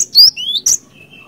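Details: Single short Cinereous tit phrase for luring: a loud rising whistle, a second lower rising slur and a sharp click, trailing into a faint steady thin tone.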